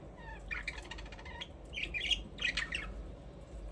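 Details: Budgies chirping: a buzzy, rattling trill in the first second and a half, then louder scratchy chirps and squawks in two clusters, over a faint low background hum.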